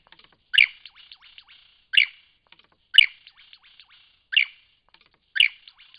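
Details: Lyrebird in Cape Liptrap Coastal Park giving loud, harsh burst notes repeated roughly every one and a half seconds, each followed by a scatter of fainter clicks and short downward flicks, against a quiet background.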